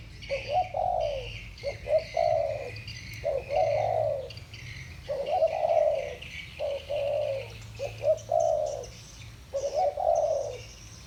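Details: Two spotted doves of the 'thổ bầu' voice type trade cooing phrases: brief staccato notes then long falling coos, several rounds with short pauses, light high-pitched buzz in the background.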